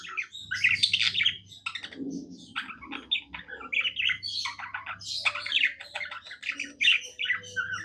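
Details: Cheerful budgie song from a pet bird: rapid scratchy chatter, squeaks and clicks strung into continuous warbling, one brief lower grumbling note, and a low hum behind.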